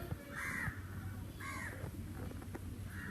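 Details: In summer fresh air, a crow gives three harsh, hoarse caws about a second apart, over a steady low rumble of wind or distant traffic.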